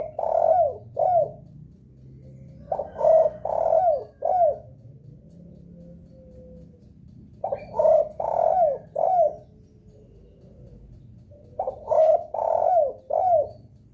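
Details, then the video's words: Repeated spotted dove lure call, meant to prompt answering doves: four phrases of soft low coos, each a short note, a long middle coo and a falling end note, separated by pauses of about two seconds. "suara pancingan DERKUKU paling di sukai derkuku lain..sekali dengar langsung respon gacor"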